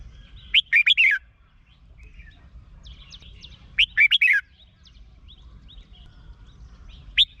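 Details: Red-whiskered bulbul singing, Thailand, a recording for training or exciting caged birds. Two lively phrases of four to five quick warbled notes about three seconds apart, then the start of a third. Light chirping from other birds fills the gaps.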